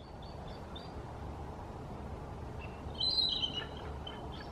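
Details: The oldest of three bald eagles sitting in a tree on the Snohomish River calls: thin, high chittering notes, faint at first, then a brighter piping burst late on, over a steady low rush of water and wind.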